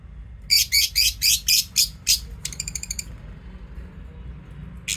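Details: Lovebird chirping: a quick series of about eight sharp, high, harsh chirps at a steady pace, followed by a fast buzzy chatter, then a lone chirp after a pause, over a low steady hum.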